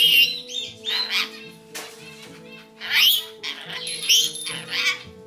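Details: Pet rainbow lorikeets chattering while stepping in to break up a fight, giving harsh rising and falling squawks high in pitch in bursts of about half a second, over steady background music.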